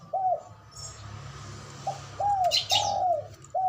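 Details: Ngoar manggung call of a male zebra dove, meant to rouse breeding drive and fighting spirit: soft arched coo notes repeated at short, uneven intervals over a steady low humming background.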